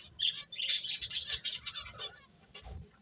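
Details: Softer bird chirps: a quick series of high tweets that thickens briefly and then fades out toward the end.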